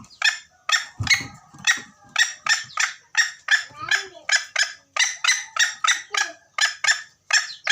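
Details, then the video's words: Junglefowl call from Gunung Kambeng, used as a lure for trapping: harsh, broadband squawking bursts repeated about twice per second in a steady series, with a short lower sound near the start. "Suara ayam hutan"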